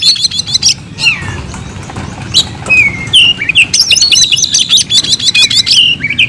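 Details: Oriental magpie-robin, caged, in fighting-style song: an opening trill, scattered sliding whistles and chips, then a long, fast run of high buzzy repeated notes mixed with whistles. A low hum lies beneath.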